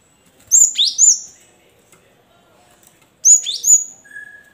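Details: Cinereous tit (Parus cinereus) song, played to prompt reluctant caged birds to sing: two bright, high phrases about three seconds apart, each a quick run of two or three slurred whistled notes, then a faint lower whistle.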